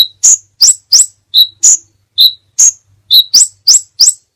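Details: Crimson sunbird (Aethopyga siparaja) masteran song: lively alternation of high upslurred squeaks and lower clipped whistles, about three notes a second, with a faint low hum beneath.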